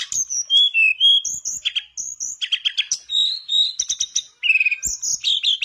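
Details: Mangrove blue flycatcher in energetic song, used as a lure to get a silent mangrove blue flycatcher singing: high whistled notes and sliding phrases mixed with rapid chattering trills, almost continuous, with a brief pause near the end.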